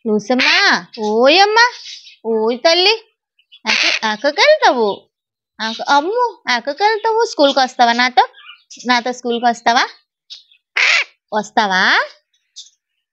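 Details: Pet macaw talks in short, speech-like bursts: harsh, wavering syllables rising and falling in pitch, with brief pauses between phrases, heard indoors.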